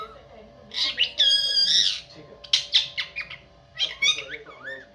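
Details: Pet parrot making harsh, noisy squawks in quick bursts, including one longer grating squawk and several short clipped ones, over a faint steady hum.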